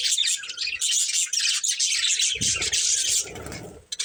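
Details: Pair of breeding budgies giving a continuous stream of bright, rapid warbling chirps, with low thumping or rustling noises toward the end.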